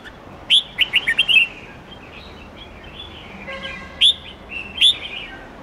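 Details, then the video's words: Forest-style 8-9-10 note song of a red-whiskered bulbul for tutoring young birds: one rapid run of five or six whistled notes, then scattered softer warbles and two sharp single notes near the end. "Chào mao hót nhiều giọng chuẩn rừng âm 8-9-10 cực hay/Dùng luyện chim non học giọng chuẩn"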